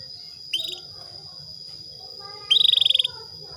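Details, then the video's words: Female Atlantic canary calling to a male to bring him into breeding condition; a faint short trill, then a louder rapid pulsed trill of about a dozen high notes lasting half a second, over a steady high electronic whine. "PANCINGAN KENARI BETINA MEMANGGIL JANTAN"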